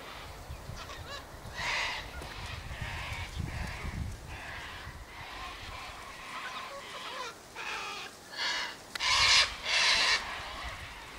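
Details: Sulphur-crested cockatoos feeding by an eastern gate on tossed sunflower seeds, wheat and birdseed mix; harsh, raspy screeches in short bursts, roughly one per second, the loudest pair near the end, over low rumbling background noise.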